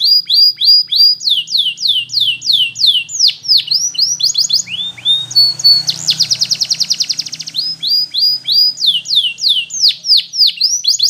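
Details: Belgian canary in full song, delivering series of quick downward-sweeping whistled notes about three per second, broken midway by a dense, rapid metallic roll before the swept notes resume.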